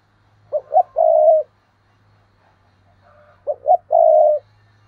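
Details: Spotted dove kept as a decoy, calling in 2022: two identical phrases about three seconds apart, each two brief coos then one long even coo, with a faint low hum.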